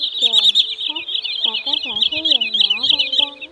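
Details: Lure recording of White-bellied sandpiper (choắt bụng trắng) and rẽ hôi calls, made for night net trapping of migrating birds in the August 2023 season: rapid high chattering notes packed tightly together, over lower wavering, sliding whistled tones.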